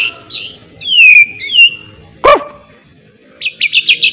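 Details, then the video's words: Murai batu, the white-rumped shama, trained with miwah imitation: slurred falling whistles, one loud sharp knock, then a quick burst of five high chipping notes. "melatih mintal burung muray batu isian miwah pul gacor"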